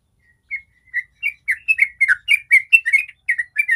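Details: Sooty-headed bulbul singing 'ropel', a fast continuous song played as a lure to make other bulbuls sing. After a few spaced notes it speeds into a dense string of bright, bubbling whistled phrases.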